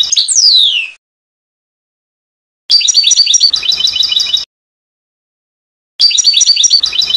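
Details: European goldfinch, 2020 CD recording of Trnan song: opens with a descending whistled slur, then after a pause delivers a fast, bright phrase of liquid twittering and trills, followed by another starting phrase.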